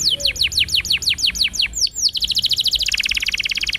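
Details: Singing canary on a training recording for young birds: rapid falling whistled notes, then a fast, even, buzzy roll of pulses that grows denser toward the end.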